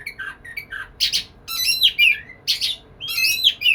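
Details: White-rumped shama singing to court a female, a lively burst of high whistles and rasping notes in short phrases, sweeping and warbling bursts separated by brief pauses.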